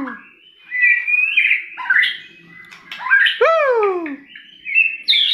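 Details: White-rumped shama in strong song: lower, rich whistled notes sliding upward, then a striking series of loud descending slurred whistles, ending in a bright high phrase.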